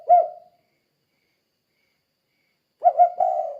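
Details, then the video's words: Spotted dove 'kuk 2' call, used to lure other doves into calling back: one short low coo, a long silence, then a rising coo that runs into a longer, level note. "Suara Burung Tekukur Gacor Kuk 2 Untuk Pancingan Derkuku Dijamin Nyaut"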